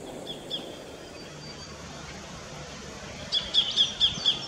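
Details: Sacred kingfisher in an Australian backyard. A short run of five clipped, high, evenly spaced notes comes after about three seconds of steady background noise, with a fainter note or two near the start.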